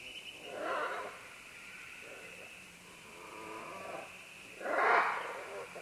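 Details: Several green-winged macaws descending along vines give grating, rasping squawks: one early, low murmurs in between, then a louder harsh call near the end.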